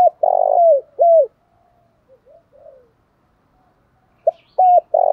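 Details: Spotted dove giving its 'thổ pha đồng' style song: a long rolling low coo with a falling tail, a quiet gap with faint murmurs, then a new phrase of short notes and a buzzy coo.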